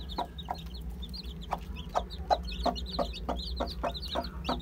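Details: Many one-day-old chicks of Aseel, Heera, Java and Muska types peep constantly in shrill, falling chirps. They overlap with rapid knocking taps nearly three times a second, and a low mechanical hum runs beneath.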